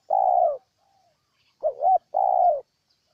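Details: Ninh Thuận spotted dove cooing in Vietnam: a long, soft, level-then-falling coo, a pause, then a bouncing two-note hoot leading straight into another drawn-out coo. No other sounds.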